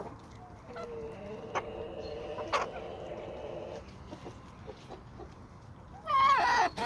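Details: Suburban homestead chickens and roosters: a long flat droning call for several seconds, scattered clicks, then a loud harsh squawk near the end.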